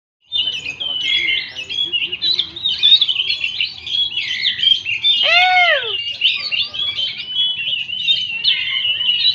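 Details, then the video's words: Kacer, the Oriental magpie-robin, singing a dense, continuous run of varied high chirps, trills and twittering notes, with a brief loud descending squeak partway through. "kicau.. burung Kacer"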